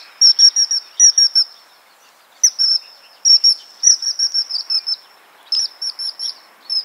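A Common Kingfisher gives shrill, piercing whistled notes in quick bursts of two to five, with short pauses between runs. Faint background hiss.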